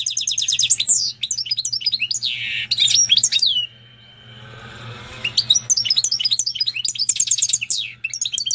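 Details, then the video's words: Canary and Portuguese goldfinch hybrid, a caged mule, singing a long varied song of bright twittering phrases, fast rattling trills and sweeping whistles, with a short quiet pause midway before the warbling resumes over a low steady hum. "Pintagol de canaria x pintassilgo português canta muito!"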